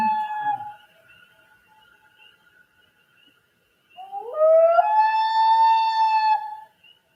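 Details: A Common Loon gives its wail: a brief mellow note, a pause, then a sustained cry that slides upward and holds for about two seconds; a call used to communicate with other loons across distances, often in evening or morning.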